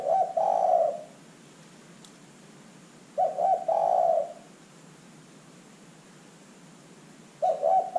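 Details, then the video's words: Lure recording of a lively calling spotted dove meant to prompt other birds to answer. Brief stuttering notes lead into a sustained mellow coo, with phrases returning about every three and a half seconds. "LANGSUNG IKUT BUNYI dengan pancingan terkukur GACOR ini"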